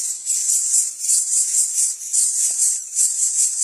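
Greater coucal chick begging with harsh, hissing rasps, pulsing about once a second with little pause between them; a single soft knock partway through.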